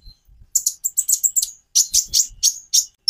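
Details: Kolibri ninja sunbird singing a hurried string of very high, scratchy chirps, in two quick bursts.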